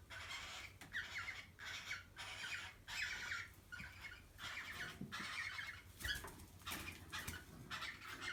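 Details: Mating cockatiel producing a long run of rough, grating squawks in rapid bursts about every half second, some harsher and noisier toward the end, with faint clicks or wing sounds and a steady low hum.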